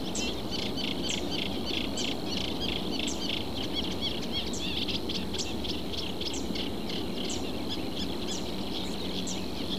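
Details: Reed warbler calling from a reed bed in southern Portugal: a steady chattering run of short, sharp high notes, several per second, over a constant thin high hum and a low background rumble.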